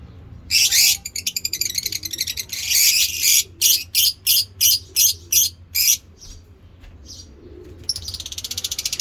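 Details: African lovebird giving harsh, hissing screeches ("ngekek" chatter), first in long bursts and then in quick clipped notes about three a second, ending in a raspy trill.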